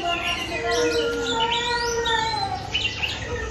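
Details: Pet Oriental magpie-robin song used as a lure to get other kept birds singing: long, clear, low whistled notes held steady, with quick bright chirps and trills above them.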